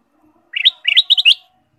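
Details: Energetic ruby-throated bulbul song meant to stimulate caged birds: a short bubbly phrase, then a fast series of four cheerful, rising, liquid notes, with no other sounds.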